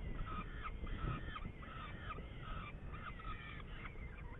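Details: Saker falcon recorded in Hungary on 8 May 2019, giving a run of strained, nasal call notes in quick succession, roughly three per second, above a constant deep rumble of background noise.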